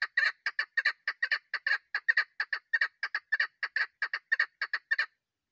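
A female chukar partridge gives a steady run of harsh, clucking chuck notes, about four a second, for five seconds with nothing else in the background.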